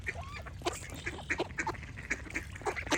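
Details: Ducks quacking in a busy chorus, short harsh nasal calls overlapping several times a second, with a few thin whistled notes mixed in and a low steady background rumble.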